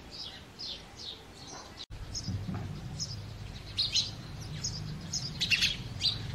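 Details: Male house sparrows chirping loudly during the breeding season. Scattered short, bright chirps come irregularly over a steady low rumble of background noise.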